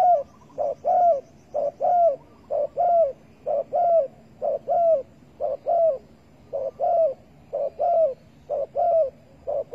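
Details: At a spotted dove trap baited with bare bait, 15 August 2020, coos come about once per second in a steady run: short paired notes leading into slightly falling hoots, repeated over and over.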